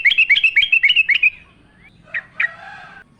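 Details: Yellow-vented bulbul delivers a quick run of about eight bright, bubbly, repeated notes. A soft upslurred note and two short chirps follow, with a thin whistle trailing behind.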